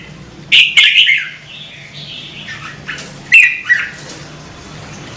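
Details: Red-whiskered bulbul giving a few scattered, warbled, slurred phrases with long quiet gaps. The phrases include sharp knocking sounds.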